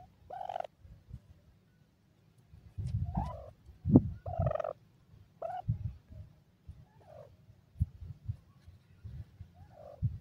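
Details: Dakhni teetar (grey francolin) chicks calling in a happy mood: a series of short, buzzy, mid-pitched notes, some rising, scattered through the recording between dull thumps and scratching noises.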